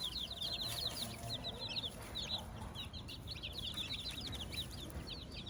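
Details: Chicks with their mother hen on a farm, producing a dense, continuous twittering of high, thin, downward-slurred peeps over a low background rumble.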